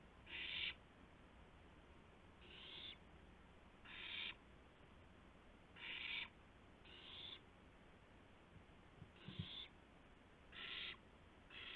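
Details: Nest-camera owl at 2:51 AM, April 2, 2016, with a gopher being delivered; drawn-out harsh hissing screeches spaced irregularly one to two seconds apart, plus a few soft knocks and background hum.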